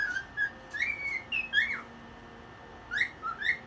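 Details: Pet cockatiel singing indoors at one in the morning while dancing: short clear whistled notes, some sliding upward, in quick bursts separated by a pause of about a second, over a faint steady low hum.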